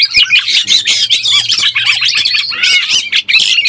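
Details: Oriental magpie-robin in breeding condition, lure sound: harsh, squawky notes and scratchy chatter mixed with brief whistles in a nonstop energetic burst, with a faint low hum.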